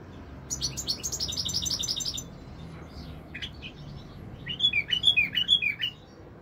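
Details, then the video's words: Song of a European goldfinch (royal goldfinch), 2021: a quick run of high, jingling notes, a pause with scattered chirps, then clear, liquid, repeated whistled notes rising and falling in a fast series. "تغريد طائر الحسون الملكي 2021 / jilguero chant chardonneret"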